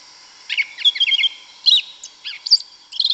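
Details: Forest song of a wild yellow-legged thrush (sabiá-una, Turdus flavipes) in Brazilian woodland: rapid varied twittering phrases, chirpy notes tumbling one after another with brief gaps between bursts.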